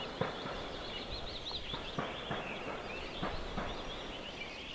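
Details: Osprey at a nest in Võrumaa, South Estonia, in 2021, near a river, fish farm and military base, giving a run of high, whistled, slurred chirps in quick succession, with scattered knocks and steady wind hiss.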